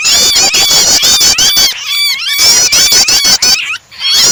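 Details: Combination of prinia calling and a trapped bird in distress, used to trigger song in other birds: brisk repeated high chips over quivering trills, with two quieter spells of looping, swooping whistles.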